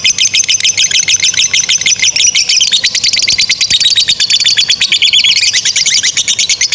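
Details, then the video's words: Long, unbroken lovebird trill, the ngekek chatter used as a master recording for young and stalled birds: very fast, piercing notes in a continuous stream that dips slightly in pitch midway and then climbs again. "SUARA 16a love bird ngekek PANJANG INI Cocok untuk Masteran love bird paud dan Macet"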